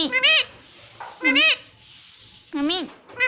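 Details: Pet Indian ringneck parrot kept indoors, taught to say "Mummy", uttering three loud wavering voice-like syllables about a second apart, each rising then falling, with a faint hum behind.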